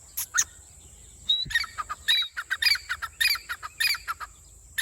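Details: Grey Francolin in open countryside fields giving harsh, high, clipped notes in quick uneven bursts, nearly two a second, over a faint steady high hiss.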